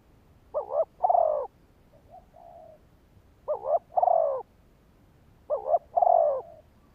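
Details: Spotted dove calling as a decoy to lure wild males. Three phrases, each a quick doubled note and then a longer hollow coo, and each trailed by a soft, faint, drawn-out note. The phrases come roughly every two and a half seconds.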